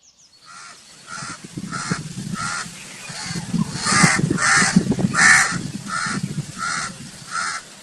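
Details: A run of about a dozen rasping crow caws, spaced roughly two per second and swelling louder mid-sequence before fading, over a constant low rumble of background noise.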